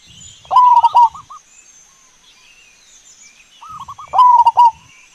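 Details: Wild local zebra dove recorded for luring other zebra doves: two soft, rolling cooing phrases about three seconds apart, each a quick stutter of notes ending in a steadier trill; faint background hiss.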